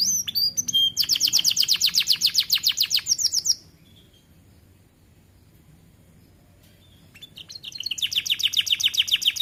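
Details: Young caged canary starting to sing, a rapid high trill lasting a few seconds, then several seconds of near silence before the trill resumes.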